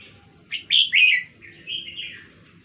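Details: Red-whiskered bulbul from Jenderam singing a short run of bright, warbled phrases. Two louder slurred notes come first, then a softer rolling phrase, over a quiet low hum.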